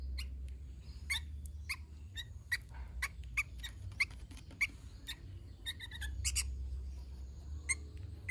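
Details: Sooty-headed bulbul singing in lively gacor style: a steady series of short, harsh chirps about once a second, with a few quick double notes near the end, over a low background rumble and a faint thin steady tone.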